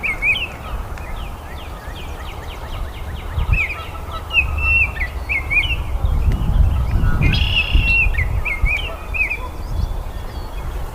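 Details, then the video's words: A Baltimore oriole sings a long run of quick whistled notes, some soft and some louder, with a brief rich burst midway, over a persistent low rumble. "BURUNG KICAU"BALTIMORE Oriole""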